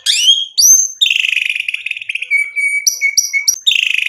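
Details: Lively White-rumped shama singing to stir other birds into answering with their full repertoire: varied loud phrases mixing downslurred whistles, rapid buzzy rattles, level piping notes and short high chips in quick succession.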